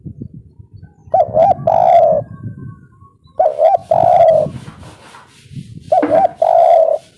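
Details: Kuk 3 phrases from a local spotted dove, used as a lure so birds answer back: three phrases about two and a half seconds apart, each two short coos and a long mellow coo, over low background rumble.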